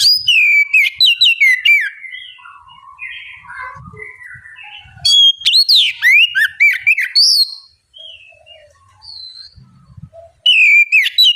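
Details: Loud bait song of an oriental magpie-robin, used to coax a young bird into singing back. Rapid bright whistles and sweeping slurs come in bursts, with softer low warbles between phrases and a final burst of whistled notes.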